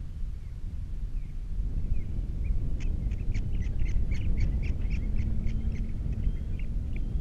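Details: Osprey by its nest with three chicks on Captiva, nest-camera audio from 21 February 2022: a few faint notes, then a quick series of sharp repeated chirps starting midway, beneath strong low rumbling wind.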